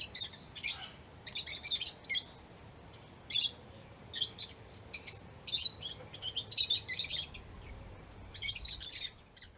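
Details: Lovebirds chirping as they do when playing, eating or excited: repeated groups of piercing, scratchy high chirps, irregular in spacing, building to a denser patch before a final burst.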